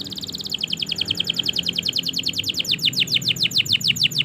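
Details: Canary singing continuously, meant to set silent canaries singing: a steady run of rapid downward-sweeping whistled notes, about three per second, with faint background hum.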